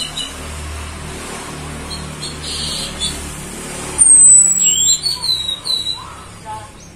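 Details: After about four seconds of quiet background hum, a female orange-headed thrush used as a lure gives a high descending whistle, then several shorter twisting whistled notes.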